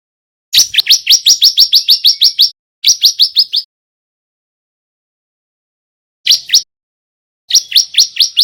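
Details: Male bar-winged prinia practising vigorous song: a long rapid run of around fifteen high rising chirps, a shorter burst, a brief pair of notes, then another quick series.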